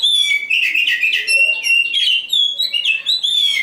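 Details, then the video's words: Oriental magpie-robin song: a loud, continuous, varied run of whistled and warbled notes with quick slurs and short high tones, the phrases flowing without pause. "Nyanyian si "Kacer Hitam"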